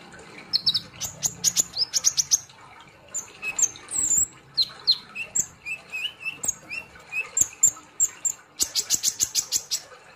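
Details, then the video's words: Sunbird, known locally as kolibri ninja or konin, singing energetically: high, sharp chirps and short rising whistles in quick bursts, with dense runs of rapid notes near the start and end, and a few brief pauses between phrases. "kolibri Ninja ( konin ) Gacor Ngobra Nembak"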